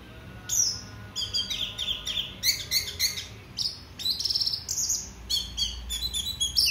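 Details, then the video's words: Orange-headed thrush singing in a lure recording meant to stir other birds to sing, in the song style called teler. Varied, high, whistled phrases with quick trills and sharp slurred notes, delivered in bursts with short pauses, loud and clear. "Pancingan anis merah bunyi dan teler"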